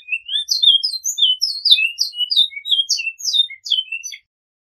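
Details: Great-billed seed-finch delivering its flute song with repetition, a four-second phrase of bright whistled notes sliding up and down, ending in a short buzzy descending note, then silence.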